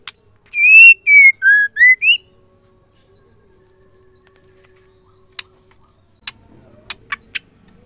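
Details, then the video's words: Calling female white-rumped shama, a sound meant to stir males into song: a run of five pure whistled notes that step down in pitch and then rise again, followed by silence and a few sharp clicks. "MURAI BETINA MEMANGGIL JANTAN AMPUH BIKIN MURAI LAIN JADI IKUT GACOR."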